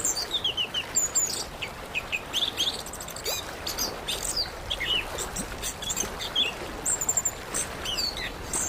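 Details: Orange-headed thrush from Indonesia, in a therapy recording to make a quiet bird sing: lively varied song of descending whistled slurs, quick chirps and very high squeaky notes in steady succession, with background hiss throughout.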